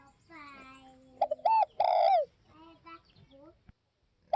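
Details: One spotted dove phrase: a few short clipped notes ending in a long, slurred coo that falls in pitch. Softer, steadier bird calls sound before and after.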